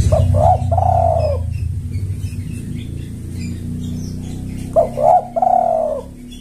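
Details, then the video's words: Spotted dove calling to attract males: a stuttered two-note start sliding into a drawn-out descending coo, heard twice about four seconds apart, with a low hum underneath. "Pancingan Tekukur Memanggil Pejantan"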